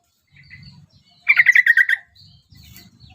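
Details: Yellow-vented bulbul (trucukan), a prospective champion songbird, gives one quick burst of about eight bubbly, chattering notes near the middle, with a low rumbling hum before and after.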